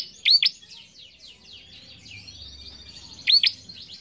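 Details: Bar-winged prinia song used to train young cage birds: two loud paired sharp chirps, one at the start and one near the end, over a busy background of fainter high twittering and trilling notes.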